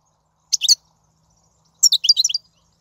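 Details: Wild European goldfinch, 2019, song for encouraging a caged bird to sing: a short twittered phrase followed after a pause by a longer, rapid chattering run of bright high notes.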